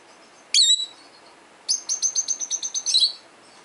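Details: A 12-year-old male peach-faced lovebird, indoors and hearing lovebird calls played to him, lets out a single piercing chirp. Then comes a steady train of around twelve clipped, high, buzzy notes ending in a shrill flourish.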